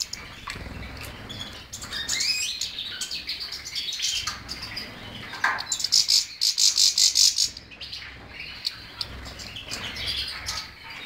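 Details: European goldfinch in full song: liquid high twittering that builds into a run of about a dozen rapid buzzy pulses, then eases back into soft chirping.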